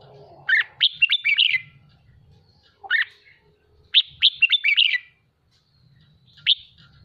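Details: Trained caged red-whiskered bulbul excited to sing in the 'hót ché' style: two rapid runs of bubbly whistled notes, a single call between them and a last lone note, over a faint low hum.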